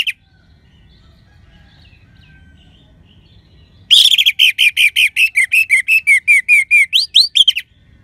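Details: Orange-headed thrush, kept as a songbird in Bali, singing to stimulate other birds to sing: after near silence, a fast burst of about eighteen sharp, ringing whistled notes around four seconds in, some rising at the end.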